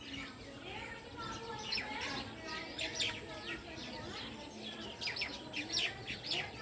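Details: Evening chirping of house sparrows, a dense stream of bright, slurred chirps tumbling over one another at about two per second, rising toward the end, over a soft low hum and faint murmuring.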